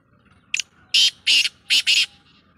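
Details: Black francolin, the kala teetar, dated 2-1-2024, giving its grating phrase: a short clipped note followed by four loud, harsh, buzzy notes in quick rhythm, the last two nearly joined.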